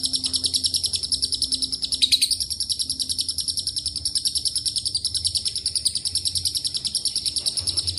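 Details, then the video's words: Lovebird in long ngekek song mixed with cililin and canary phrases: a steady, shrill chattering trill pulsing about three times a second, with a brief brighter sharp note around the two-second mark. "LB NGEKEK PANJANG ISIAN CILILIN & KENARI"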